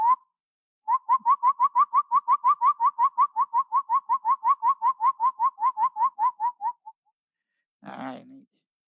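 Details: Tody motmot (Hylomanes momotula) in Panama, a hard-to-see bird of dark forest understory, calls a long steady series of about 25 hollow, slightly upslurred hoots, roughly four a second, followed by a brief muffled noise.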